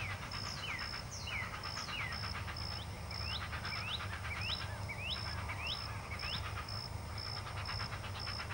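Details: Two great blue heron chicks at the nest during feeding, faint rapid quacking pulses beneath a series of about ten clear descending then rising chirps, with a steady high pulsing tone in the background.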